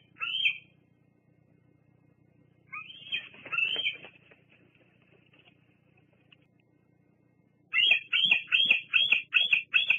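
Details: Bald eagle at the Fraser Point nest on 08-08-22, squeeing as eagles land and shift positions. A single high squeal, then a short broken burst, a quiet gap, and finally a fast run of about eight piercing, shrill notes.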